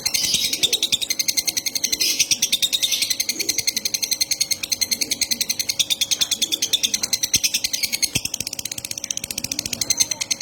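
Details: Konslet bird, kept and hand-fed, begging while being fed: rapid, dense high chattering repeated about three times a second throughout, with a steady thin hum and faint room noise beneath.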